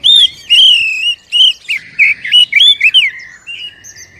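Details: Lure song of the Oriental magpie-robin, played to push a captive bird into singing: a rich, continuous run of loud rising and falling whistles and twisting warbled notes, fading near the end.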